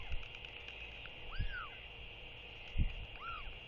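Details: A northern royal albatross chick on its New Zealand nest in early-morning fog begs as a parent arrives to feed it, giving two thin, arching whistles a couple of seconds apart, each rising then falling, over wind hiss and low thumps.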